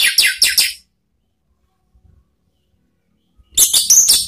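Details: Orange-headed thrush (Anis Merah) used as a lure for cage birds, in the ngeplong and ngeriwik styles: two bursts of rapid, high, chattering notes about three seconds apart, with near silence between.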